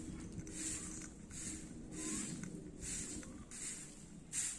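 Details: Baby Indian ringneck parakeet giving raspy, breathy hissing bursts, roughly one per second with uneven spacing, over a low rumbling background.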